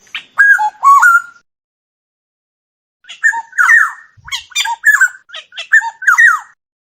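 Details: Black-naped oriole song delivered as a brief whistled phrase, then after a pause a longer run of mellow, liquid fluting notes with quick slurs, clean and free of background noise.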